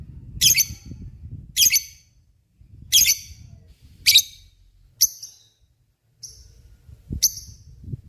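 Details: Lovebird in full voice, recorded as a tutor for murai and kacer songbirds: loud, harsh, buzzy high chirps given singly about every second, with short gaps and faint low background rumble.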